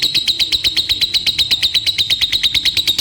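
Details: Long ngekek from a lovebird: a rapid, evenly pulsed high trill, loud and unbroken, holding one pitch for its full length.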